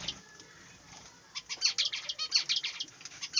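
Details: Several budgerigars kept in a small aviary, quiet at first, then a dense run of high, scratchy chirps and warbles packed closely together.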